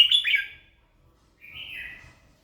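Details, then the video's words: Red-whiskered bulbul singing in the morning: a short burst of rich, warbling whistled notes, then after a pause a single slurred whistle that dips downward. "kích chào mào hót buổi sáng"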